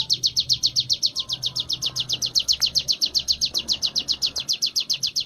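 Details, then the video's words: Sunda warbler, known locally as ciblek gunung, kept for training and singing ngebren: a long, steady machine-gun run of sharp high chips, each note dropping slightly in pitch, with soft low hum beneath. "burung ciblek gunung gacor latihan ngebren"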